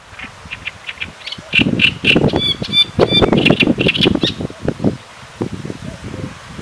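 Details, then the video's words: Great reed warbler, harsh chattering phrase of croaky low grating notes mixed with sharper repeated notes higher up, rapid and irregular, starting softly and becoming louder midway, with a quieter tail of scattered notes. "Grote Karekiet"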